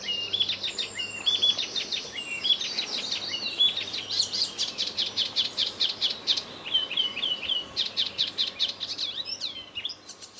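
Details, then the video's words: A singing male Icterine warbler in a hedgerow beside the Koreabosje near Midsland, Terschelling, on 20 May 2014, in spring, gives a loud, rambling, near-continuous medley of harsh, nasal and squeaky notes with fast repeated phrases over a faint low hum. "Spotvogel Hippolais icterina"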